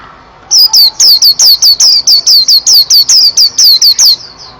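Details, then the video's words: White-eye called a national champion, singing hard: after a quiet start, around sixteen loud, sharp, downward-sliding whistles are repeated rapidly at an even pace, harsh and overdriven. "Pleci Juara 1 Nasional pleci Gacor juara nasional teler gacor ropel"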